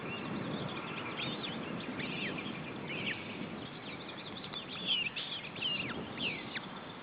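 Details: Osprey female with three chicks at feeding time, June 2012; short thin whistled notes, several sharply descending, repeated irregularly against a constant noisy background.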